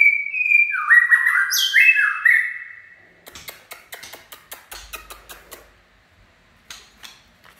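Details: White-rumped shama delivering a quick run of stepped whistles and high bright notes for about two seconds, followed by a string of sharp clicks and soft ticking.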